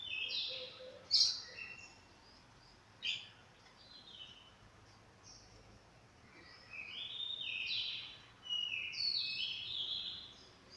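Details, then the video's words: A Chestnut-capped thrush after its moult gives rich whistled song phrases with quick falling and rising slurs, sharp high chips between them, and a long run of overlapping warbled notes toward the end. "Burung Anis Kembang selesai mabung"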